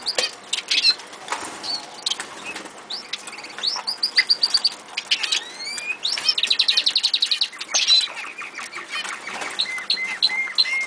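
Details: Captive Eurasian siskins in a home aviary sing fast twittering song: rapid high trills of repeated notes, rising wheezy slurs and sharp chirps overlapping, with several birds audible together.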